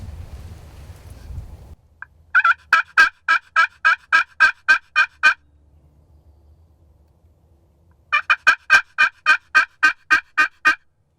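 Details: A big wild turkey gobbler (tom) in spring, late morning, gobbles twice, each a rapid rattling burst of throaty notes, answering a hunter's calls as he approaches just out of sight.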